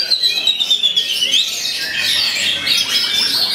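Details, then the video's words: Oriental magpie-robin in full song mimicking the white-rumped shama, with rapid high whistles and buzzy trills running together, then a dense rich warbling burst in the second half. "KACER GOMEZZ TEMBAKAN SEMI MURAI BATU, TANGKIS LAWAN KELUARKAN MATERI ROLL PANJANG"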